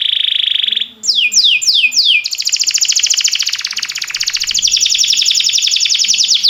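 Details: Timbrado canary singing for canary training: a steady buzzy note, four descending whistled glides, then a long, fast, even trill of rapidly repeated notes.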